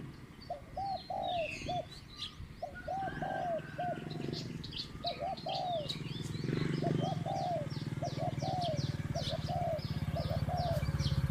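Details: Spotted dove in a decoy-luring session, medium-pitched coo style: repeated phrases of soft rounded coos throughout, with a steady low hum growing louder and busy high chirps from other birds.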